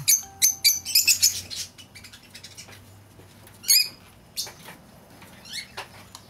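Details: Lovebirds give shrill, high, sharp chirps in quick irregular bursts, several overlapping at first, then scattered squeaks; played to lure back an escaped lovebird.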